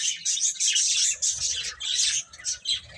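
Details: Young chicks feeding and playing, a continuous chorus of piercing high chirps in quick overlapping bursts with faint low thumps underneath.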